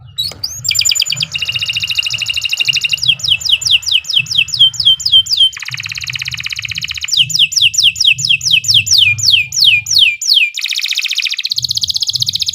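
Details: Canary giving a long, fast training song: runs of rapid downward-sweeping high notes alternate with dense buzzy trills and shrill rattles, barely pausing over twelve seconds, above a steady low hum.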